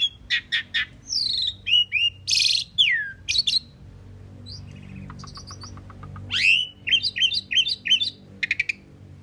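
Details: Common pied myna, called Indian maina, singing a varied song of harsh buzzy bursts, slurred descending whistles, rapid clicking series and squeaky repeated notes in quick phrases, with brief quiet pauses between and low background hum.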